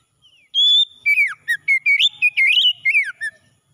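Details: Oriental magpie-robin morning song, meant for restoring stressed birds that have stopped singing: a long clear whistle, then a quick run of slurred falling and rising whistled notes near the upper-middle range, with short gaps between bursts.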